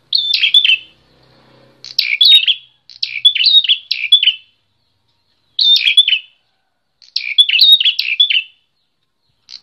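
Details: Visiting prinia with a fighter's temperament singing energetically: clusters of rapid, scratchy chirps, two to four notes each, in bursts separated by short pauses, all high-pitched and sharp.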